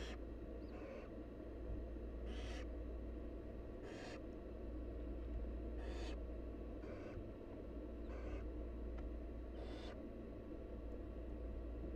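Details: Wild barn owl nestlings begging as their mother feeds them: seven short, harsh hissing screeches spaced about one to two seconds apart, fairly faint, over a steady low electrical hum.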